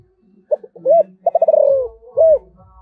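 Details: Spotted dove, giọng thổ voice type, calling: brief introductory notes, a full coo, a stuttering trill that slurs lower, and a final swelling coo, with a low droning hum and soft thuds behind.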